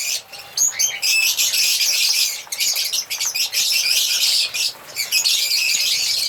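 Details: African lovebirds chirping and singing together: a shrill, buzzy stream of rapid squeaks that pauses briefly a few times, with one clear high whistle near the start.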